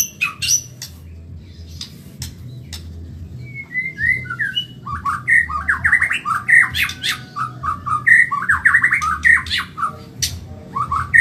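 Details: White-rumped shama, Medan type, singing fast in a cage. Opening clicks and a short whistle give way to a lively stretch of repeated sharp whistled notes and warbles, about two per second.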